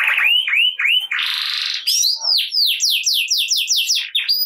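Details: Energetic canary song used to coax silent canaries into song: looping curved whistles, a harsh buzzy rattle, then a quick run of steep downslurred notes about four per second, loud and unbroken.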